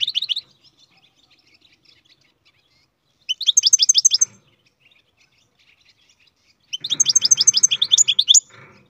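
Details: Three bursts of song from a captive-bred European goldfinch, each a fast, even run of bright, high chirps, the last phrase longer and more varied. Quiet gaps lie between the bursts, with faint low background noise.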